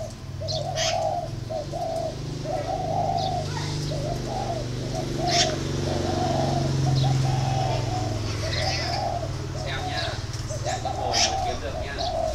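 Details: Repeated low hoarse coos of a spotted dove, short phrases strung closely together for over ten seconds, with a strong low rumbling hum beneath and occasional faint clicks and chirps.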